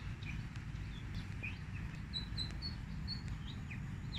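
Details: Fantail song used as a lure for trapping birds: short, thin, high whistled notes, some rising and some falling, scattered irregularly over a steady low rumbling background noise.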